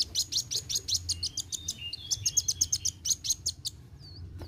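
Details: Sunbird (kolibri wuling) in full roll tembak song: a fast, unbroken rattle of high sharp chirps with a thin whistle running beneath, ending in a brief upward-slurred note.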